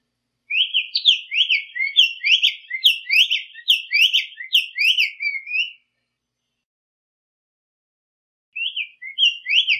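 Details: Black-faced Tanager (sanhaço coleira) singing in the wild, a fast, five-second run of bright, slurred whistled notes, then silence before the phrase starts again. No other sounds intrude.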